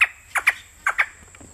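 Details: Male Raggiana bird-of-paradise in a new aviary at Sylvan Heights Bird Park, hopping around in courtship display, giving harsh, squawking calls in paired bursts, about three pairs in under two seconds, each note dropping steeply in pitch.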